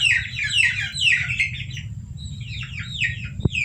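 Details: Domestic chicks peeping, offered as a lure for civets: a dense burst of high, downward-sliding peeps, then scattered separate peeps with one sharp click near the end, over a steady low hum.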